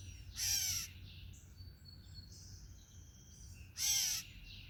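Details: At a bird feeder, a gray catbird seemingly urging the observer to go gives two rasping, nasal calls about three seconds apart, with faint high whistled notes from other birds between them.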